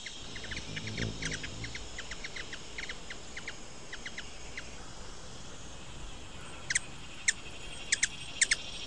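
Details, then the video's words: Ruby-throated hummingbird (Archilochus colubris) gives dry, high chips in quick loose runs, then several sharper, louder ticks near the end, over a low rumble of background noise. "Ruby throated hummingbird | call / song, wing sounds"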